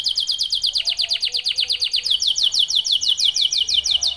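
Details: Canary of the F1YS type, described as a vigorous nonstop singer, delivering fast, high, ringing trills of sharp repeated notes, about three per second, in one long unbroken sequence with only faint background hum.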